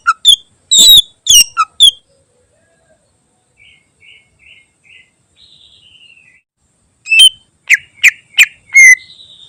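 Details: Greater green leafbird singing its fill-rich song for training other birds: loud sharp chips and piping notes, a stretch of soft repeated twitters and a descending trill, then bright ringing whistled notes again.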